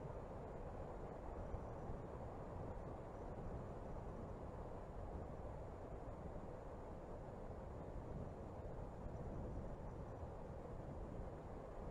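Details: Steady, dense wind noise at an eagle nest on Smøla, Norway, on a January afternoon, with no animal calls heard.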